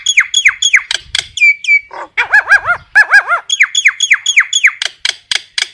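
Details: Common myna calling its flock with rapid repeated downslurred whistles, gurgling arched notes in quick series, and sharp clicks, loud and varied throughout.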